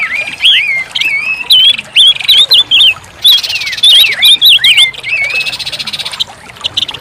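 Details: Whistled song of an orange-headed thrush, with varied slurred notes, sharp upswept and downswept whistles in rapid clusters, and a constant high hiss behind.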